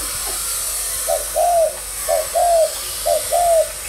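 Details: Spotted dove from Malaysia trained for decoy work, thúc gù line; three crisp paired coos, a short lead note and a longer bowed coo, evenly spaced against steady hiss.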